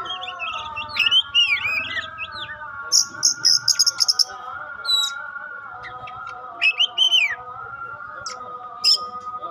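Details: Kacer pastol Oriental magpie-robin, offered as a song to test other magpie-robins, delivering varied whistled swoops, then rapid harsh buzzy bursts and clicks, pauses between phrases, over a continuous humming drone.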